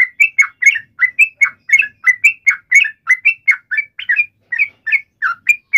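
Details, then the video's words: Provoking fighting call of a yellow-vented bulbul; short, slurred, bubbly notes repeated in quick succession, some paired, with tiny gaps between them in a quiet setting. "trucukan gacor CUK EMOSI NGALAS TARUNG ROPEL ini MENJADIKAN agar burung trucuk gacor NYAUT SEKETIKA"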